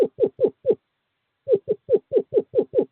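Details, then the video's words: Courting screech owl male calling a female to owl box 5: four rapid descending hoots, a pause, then a faster run of eight similar notes. "Male screech owl calls female to owl box 5"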